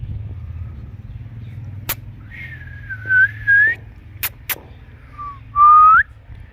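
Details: Pet Indian ringneck parrot, a green parakeet, producing its natural talking and chirping voice: a clear whistled note wavering near one pitch, then two shorter rising whistles, with sharp clicks and a low hum behind.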